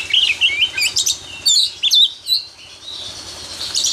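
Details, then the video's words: Champion white-rumped shama singing out in the open: short whistled notes and chirps in quick uneven bursts, loudest in the first two seconds, fading to quieter notes. "Burung Kacer juara di umbar"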